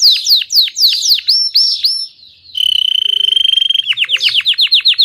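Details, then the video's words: Belgian canary singing cheerfully: fast series of descending whistled sweeps, then a steady high trill held about a second and a half, ending in rapid repeated downward notes around four per second. "Canário belga cantando com disposição/Belgian canary singing cheerfully."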